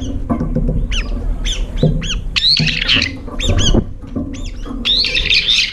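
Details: Brown-eared bulbuls compete at a feeder with little food left, fighting between mouthfuls; a rapid run of loud, strident squawks, some rising and some falling, fills the clip over low thuds.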